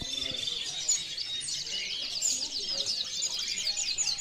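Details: European goldfinch singing a dense, continuous run of high, rapid twittering and tinkling notes with quick trills, nearly unbroken throughout.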